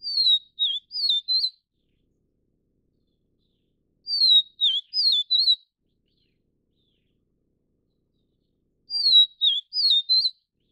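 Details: Taiwan-endemic Vivid niltava, subspecies vivida, giving a short phrase of four sweet high whistles, some slurred down and some wavy, repeated three times about every four and a half seconds with silence between.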